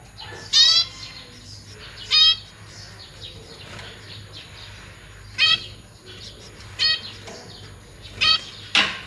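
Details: Caged zebra finch family, 1 May 2023, with parents feeding newborn and juvenile chicks. Loud nasal harmonic calls sound at irregular intervals of one to three seconds, with quieter chirps between and low hum.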